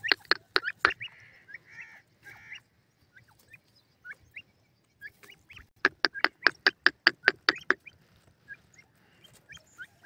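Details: Young grey francolins, called tetar chicks, feeding on green grass: scattered soft upslurred peeps, then a burst of rapid sharp clicks near the middle, with quieter peeping afterwards.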